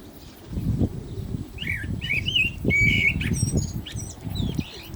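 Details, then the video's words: Common blackbird singing during the call to prayer: short clear whistled and warbled phrases, some sliding, between about 1.6 and 3.2 seconds, with fainter chirps after, over steady low rumbling and knocking background noise. "Lovely Black Bird Voice صوت المسوود مع الاذان - طائر المسود مع الاذان"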